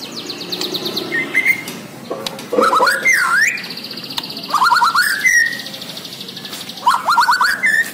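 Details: A Borneo white-rumped shama sings actively, mixing fast trilled notes, stepped rising whistle runs and buzzy high phrases. The phrases come in bursts every couple of seconds, with varied, rich timbre.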